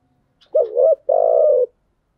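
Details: Female spotted dove used to lure wild doves: one low coo phrase, a quick wavering double note followed by a longer steady coo, against silence.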